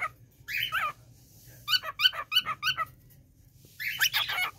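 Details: Pet male cockatiel, a year old, giving his self-learned printer-like "piku piku" call indoors: a rasping note, then a quick run of six clipped harmonic chirps, closing with a buzzy squawky phrase over faint room hum.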